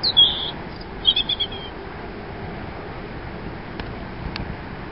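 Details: A robin gives two brief high warbled phrases close together near the start, then falls silent; a couple of faint clicks follow against a constant background hiss.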